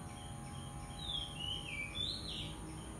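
A White-rumped shama gives loud, clear whistled phrases that slide downward in pitch, two bursts over three seconds, against a steady low rural hum.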